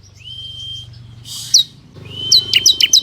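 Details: Ciblek kristal (bar-winged prinia) in a lure recording for wild birds: a long, steady, high whistle, a single sharp chirp, then a second whistle that breaks into four quick, sharp chirps, with a low hum beneath.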